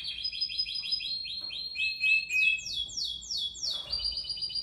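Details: Canary roll used to tutor other songbirds: a run of rapid repeated chirps falling in pitch, then four or five loud descending sweeps, ending in a fast high trill over faint background rumble.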